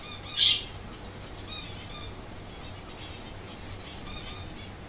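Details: Zebra finch, apparently behaving like a pampered cat, gives a sharp nasal call at the start, followed by softer, fainter chirps against steady low background hum.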